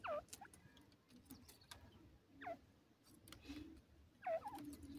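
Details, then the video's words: Grey francolin (dakhni teetar) calling: three sharp, down-sweeping notes with a hooked end, spaced about two seconds apart, over a quiet background with faint rustling and clicks. "dakhni teetar ki wonderfull awaj"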